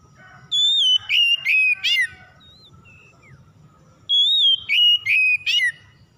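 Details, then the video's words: Loud oriental magpie-robin song played to stir a non-singing magpie-robin: a high wavering whistle and three sharp falling notes, a pause with soft fainter whistles, then the same phrase again. "PANCINGAN KACER MACET BUNYI CEPAT IKUT BERPERAN LANGSUNG GACOR"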